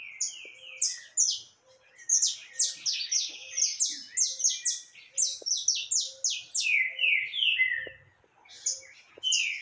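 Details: Singing canário caboclo, 20 October 2021: a continuous, busy stream of high chirps and descending sweeps rises and falls in loud pulses, while a soft low tone repeats faintly underneath.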